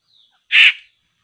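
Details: Laughingthrush (poksay) call recorded while traps are set to catch the birds: a single loud, harsh, rasping burst lasting about a third of a second, with a faint thin whistle just before it.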